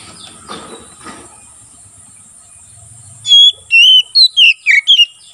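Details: White-rumped shama singing in full, strong voice, material for tutoring and trapping wild birds in the forest: after faint background noise, a burst of clear whistled notes, sliding and falling, in quick succession.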